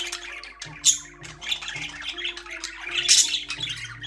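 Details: Caged budgerigars produce short bursts of squeaky chirps and a couple of sharp, bright squawks near the start and end, backed by soft, low music notes.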